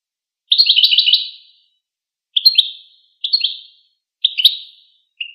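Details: Goldfinch giving a longer, rapid string of chittering notes, followed by three short twittered phrases and a soft final chirp, with a clean background.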